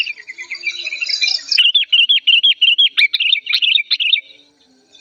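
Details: Old sooty-headed bulbul in agitated, loud and clear voice. Soft chatter at first, then a brisk, even series of short, bright, repeated chirps that ends in a quicker jumble before falling silent.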